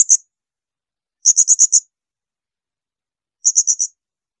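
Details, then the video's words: Blue-crowned hanging parrot, used as a master recording for training songbirds, uttering brief clusters of four or five sharp, very high-pitched shrill notes with about two seconds of silence between clusters. "Masteran tembakan melengking serindit"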